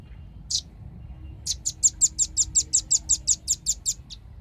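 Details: Velvet-fronted nuthatch, lure recording for attracting birds: one lone high chip, then a regular run of about fifteen crisp, piercing notes at roughly four per second, fading at the end.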